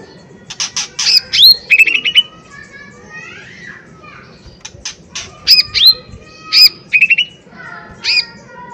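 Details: Lesser green leafbird singing loudly: rapid bursts of sharp, high whistled notes and slurred chips in clusters, pauses between phrases, with softer distant calls in between.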